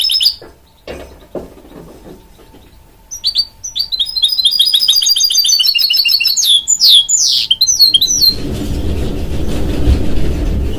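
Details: Song of a goldfinch-canary mule: a few clicks, then a lively stream of quick twittering notes and sweeping slurs that rises to buzzy flourishes, after which a rushing noise covers the end.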